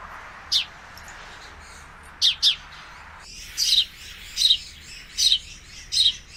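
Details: Male sparrow calling beside two quarrelling females: scattered chirps, then a faster run of hoarse notes roughly every 0.7 seconds over a broad hiss.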